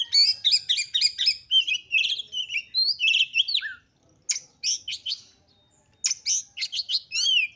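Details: Female oriental magpie-robin sounds played to make males emotional and open their tails: dense fast twittering and whistled phrases, a pause, then scattered sharp chirps and rising whistles.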